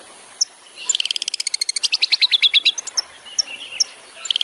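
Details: Long-tailed shrike kept as a songbird, used as a master recording for training: a fast series of harmonic notes, about twenty in quick rhythmic succession, with scattered sharp chips before and after.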